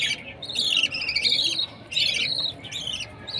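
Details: Baby budgerigar at mealtime uttering two long scratchy chirping bursts, each about a second, then shorter rasping notes, over a quiet low background.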